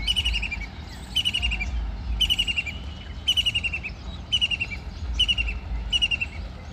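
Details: A white-throated kingfisher bathing and flying utters a series of rapid rattling bursts, each a quick descending string of shrill notes, roughly seven bursts over a low rumble.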